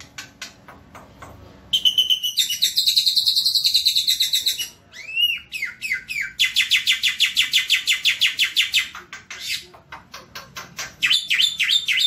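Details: Javan white starling singing a loud, varied song: a thin high whistle, then dense buzzy chattering, a pair of rising slurred notes, and long runs of rapid harsh chips with brief pauses between phrases.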